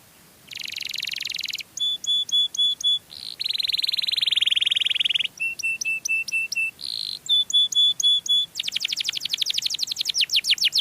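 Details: Canary song used to lure other canaries: alternating buzzy sustained rolls and series of flat, evenly spaced piping notes, ending in a rapid trill of fine downward strokes.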